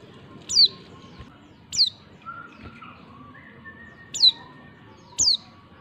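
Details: Female white-eye giving repeated thin, high downslurred calls meant to trigger replies from males, four notes spaced about one to two seconds apart, with faint lower whistled tones in between.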